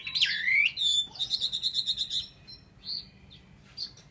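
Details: Chinese hwamei singing: a loud swooping whistle followed by a rapid, evenly repeated series of bright notes, then softer scattered whistles.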